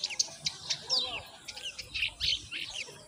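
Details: Baby mynas begging as their mother brings in moringa to feed them; shrill, scratchy chirps and downward-slurred squeals come in quick irregular bursts, with low background murmur.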